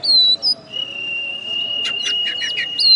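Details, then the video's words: Champion caged oriental magpie-robin from West Kalimantan, after the contest, sings two bright downslurred whistles, then one long level whistle that runs under a quick cluster of sharp chirps before another clear whistle ends the phrase. "Kacer Juara 1 Habis Gantang"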